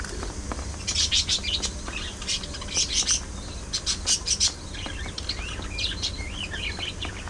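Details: Companion budgies, shown singing, talking, play-fighting and preening, chatter in bursts of buzzy, rattling chirps, then slip into a rapid warbled run of twisting whistled notes above a low, constant hum.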